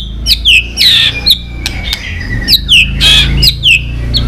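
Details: White-rumped shama singing in competition, flicking its tail: short loud descending whistled notes repeated in pairs, separated by sharp clicks, over a steady low hum.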